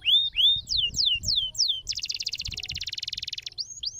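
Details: Stimulating canary song, crystal-clear: a few loud rising-then-falling whistles, followed by a rapid, even buzzing trill of many repeated notes lasting about a second and a half, closing with two soft whistles.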